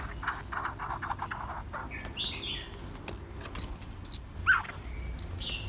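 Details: White-rumped shama giving scattered sharp clicks and short high whistles, with a few slurred notes and a low buzzy rattle early on, against a quiet background hum.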